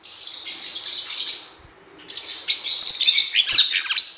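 Blue-winged parrotlets chatter in bursts of high, squeaky, buzzy twitters, pausing for half a second before a busier run of sharp chirps.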